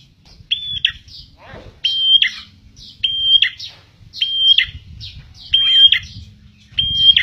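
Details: Prenjak tilek (prinia), a lively singer used as a lure for trapping birds: a short steady high whistle then a quick drop, repeated about every 1.2 seconds in an uneven rhythm, with soft chirps between and a low rumble beneath.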